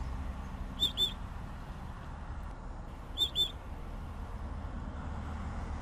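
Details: Southern grey shrike giving two bursts of doubled high, piercing whistled notes roughly two and a half seconds apart, with a constant low-pitched background hum throughout.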